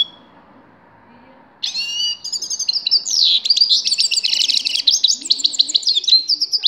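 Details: Sustained grey-crowned goldfinch song that begins suddenly, a dense, jangling stream of liquid twitters, buzzy trills and sharp chirps carrying on for about five seconds.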